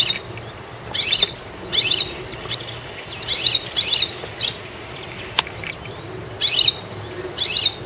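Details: High, clipped chirps from a goldfinch at the top of a tree come in small spaced clusters roughly every second or so, each a quick bright double or triple note, with occasional sharp clicks and steady background hiss.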